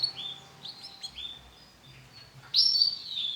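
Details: Male yellow canary: a few soft high whistles and slurs, then a sudden loud sustained buzzy trill.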